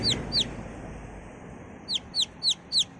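A chick gives high, thin descending peeps, two quick notes then four more at steady half-second intervals, over faint low background rumble.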